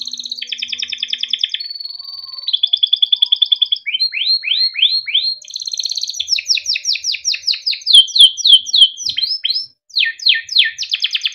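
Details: Timbrado canary, small yellow bird, singing varied melodic phrases for training: pulsed trills, a level whistled tone, runs of descending sweeps and dense rapid chirping, continuous and high-pitched with a quiet background.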